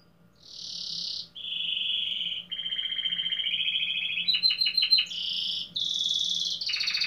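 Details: Domestic canary singing in the 15th edition of a singing competition in Pelotas, RS: long held whistled tones at shifting pitches, a rapid stuttering roll of clipped notes, then bright sustained high trills, with faint low hum.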